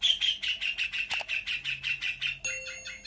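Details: Local long-tailed shrike from Lampung, Indonesia, singing a song packed with imitations of other birds such as white-rumped shama, magpie-robin, canary, starling and prinia; a rapid run of sharp, high chirps, about six per second, ending in a steady whistled note.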